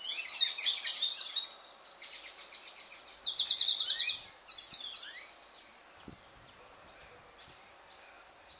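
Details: Dusk chorus of Carib grackles in Martinique: shrill, rapid chirps and squeaks overlapping in dense bursts, strongest in the first four seconds, then thinning to scattered high notes.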